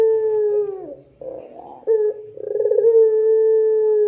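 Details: Lure recording of a ringneck dove meant to set other doves calling. A low sustained coo bends downward and fades, then comes a rough rolling burst and a trilled, pulsing lead-in that settles into a long even coo.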